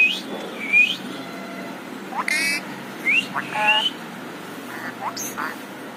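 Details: Green parrot mixing bright upward-slurred whistles with a few harsh, buzzy squawks, loud bursts separated by brief pauses against faint room noise.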